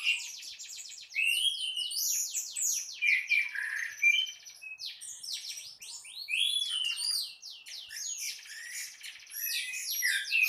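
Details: Morning song of an Orange-headed thrush in full, sustained voice. High, tumbling phrases of sharp chirps and rising and falling whistles pour out almost without pause for ten seconds.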